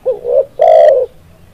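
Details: Spotted dove lure call used to attract doves for trapping: a short, soft, low coo followed after a brief pause by a longer, louder, rolling coo, clear and close.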